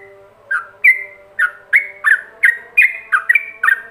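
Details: Yellow-vented bulbul in ropelan song style, intended for other bulbuls to imitate: a string of loud, liquid whistled notes with quick pitch slurs, roughly three per second, above a low continuous hum.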